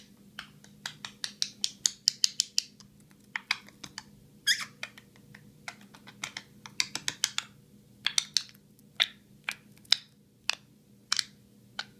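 Sharp, irregular clicks and taps, like typing or tapping on a hard surface, in a small quiet room.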